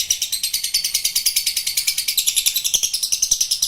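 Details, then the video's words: Long chattering trill, ngekek panjang, from a lovebird: dense high-pitched notes pulsing steadily about three times per second, continuing unbroken to the end. "Love Bird Ngekek Panjang"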